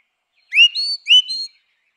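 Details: Grey-winged blackbird song: two short clear whistled phrases, each a rising slurred note followed by sustained higher fluty tones, separated by a brief pause, in a quiet setting.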